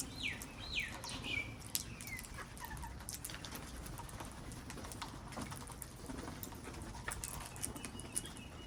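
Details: Wild parrots in a garden giving a few descending, harmonic screeches in quick succession near the start, then quieter scattered chirps over a steady low background rumble.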